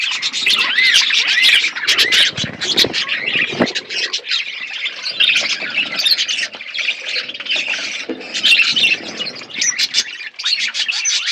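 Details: Budgerigars in a flock, eating food: dense, continuous chatter of overlapping squawks and warbled chirps, many birds calling at once with no pauses.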